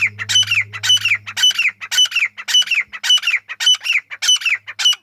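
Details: Chukar partridge giving a long, regular series of rasping, falling chuck notes, roughly two each second; a low hum fades out partway through.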